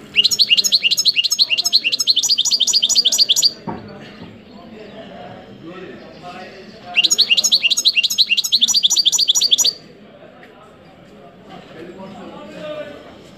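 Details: Goldfinch song in two long bursts of fast, ringing, high-pitched twitters, each lasting several seconds, with short gaps of low room noise between them.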